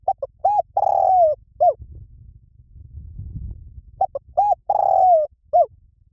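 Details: Liu Tan style song of a Spotted dove, used to draw a trained bird into answering: quick soft coos, then a drawn-out descending buzzy coo and a closing note, heard twice over a low rumbling background.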